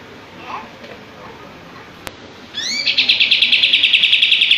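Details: Following quiet background, a common iora (kapas tembak) opens with a couple of rising slurred notes, then launches into a fast, even run of bright clipped notes at roughly four per second, its tail spread while singing.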